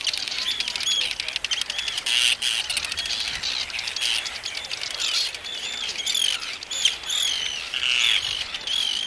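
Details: Arctic Terns calling at the Inner Farne colony in the Farne Islands, UK, on 6 June 2013, amid photographers, recorded with a Canon PowerShot SX30 IS; a steady wall of shrill, scratchy, overlapping cries, individual harsh notes repeated rapidly throughout.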